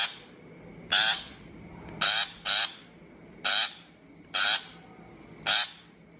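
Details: Shrike call recorded as a trapping lure: six loud, harsh, rasping bursts, each about a fifth of a second, spaced roughly a second apart with some in close pairs, over a faint steady hum.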